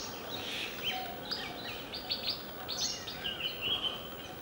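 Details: Indian grey hornbills in January 2013 at Vaccine Depot, Belgaum, Karnataka, India: high, squeaky, chirping notes in quick, irregular bursts, some sliding up or down, over a steady hiss of outdoor background noise.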